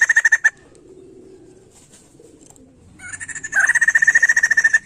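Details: White-crested laughingthrush song used to stimulate other songbirds: a rapid series of identical mid-pitched notes, then a quiet gap, then a loud harsh rattling burst leading into another fast, even run of repeated notes.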